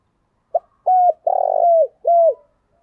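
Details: Spotted dove call played to provoke other doves to call fast: a brief introductory note followed by three low mellow coos, the middle one longer and rolling before sliding down, the last dropping at its end, with no background.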